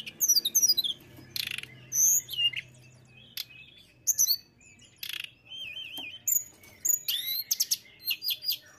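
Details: Busy song of a mountain tailorbird: quick sequences of very high whistles, a wavering warbled phrase, rapid clicking trills and scratchy broadband bursts, delivered almost continuously with short gaps.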